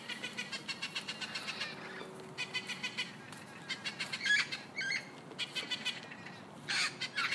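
Parrots give harsh, rasping chatter in quick bursts, a rapid run of short squawks followed by longer scratchy screeches; no other clear sounds.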